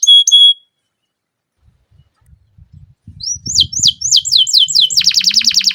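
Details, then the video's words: A canary sings a long rolling song of the kind used to prompt other canaries to sing: a brief high note, a pause, then rising sweeping chirps turning into a fast, high buzzy roll. Faint low thumps sound underneath. "BURUNG KENARI GACOR NGEROL PANJANG JITU"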